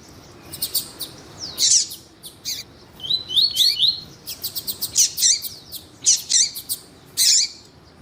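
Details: Double-collared seedeater male singing with a calling female, a breeders' warm-up recording for competition birds; high chirps, clicking bursts and a short series of rising slurred whistles, repeated in quick phrases.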